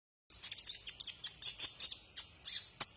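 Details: Brown-throated sunbird, known locally as kolibri ninja, in a tutor recording for training cage birds: rapid run of sharp, very high chirps and short buzzy notes, some loud accented notes, little pause between them.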